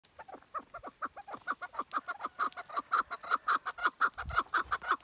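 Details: Chukar partridge with a pleasant voice, calling: a long series of fast, clucking notes repeated nearly twice a second, building louder toward the end, with a faint low thump near the close.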